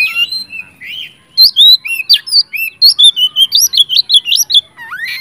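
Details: Caged oriental magpie-robin in full energetic song, played as a pancingan to provoke silent magpie-robins into singing: loud, varied whistled phrases, rising and falling, given in rapid bursts of clipped notes that speed up toward the end.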